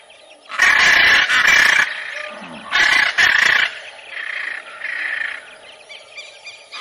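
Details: Raucous macaw screeches: two pairs of loud grating squawks separated by a short pause, then several quieter hoarse calls at a steadier pace.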